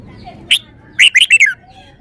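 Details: Caged red-whiskered bulbul displaying its song repertoire: one sharp note, then a rapid run of four or five loud, clear whistled notes dropping slightly in pitch at the end.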